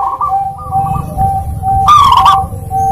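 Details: Zebra dove song used as a lure recording to coax reluctant birds into singing: sustained tonal cooing notes, then a loud, rough, harmonic-rich burst near the two-second mark, over a constant low hum.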